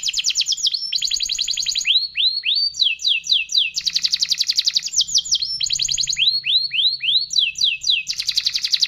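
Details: Canary singing long and continuously: fast trills of repeated notes, loud downward-sweeping whistles, and dense rattling buzzy phrases, all high-pitched, switching pattern every second or so, with a faint low hum behind.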